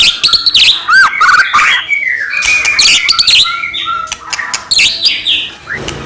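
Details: Varied, energetic white-rumped shama song used to stir other shamas into singing, with rich whistles, rising and falling slurs, harsh chattering bursts and sharp chips mixed in quick succession.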